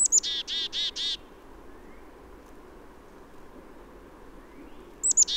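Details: Black-capped Chickadee in a southern Maine backyard in late March, early spring, giving its namesake chickadee-dee-dee call: high, thin opening notes followed by four harsh, buzzy dee notes, with another call starting near the end.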